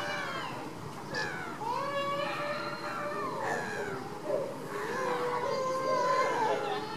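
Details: Caribbean flamingos in baseline activity. Overlapping nasal, honking calls from several birds rise and fall continuously with rich harmonics, forming a steady chorus with no pauses.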